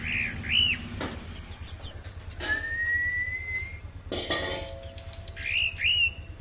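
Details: Orange-headed thrush song with a long smooth rising whistle, looping high notes and sharp clicks, set against a constant low rumbling hum.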